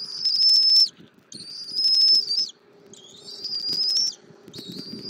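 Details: Feeding time at a Southwest Florida bald eagle nest, 24 February 2024, 08:41: the mother offers her eaglet armadillo, recorded by nest camera. Shrill sustained high whistles repeat in four phrases about a second apart, with gentle low rustling.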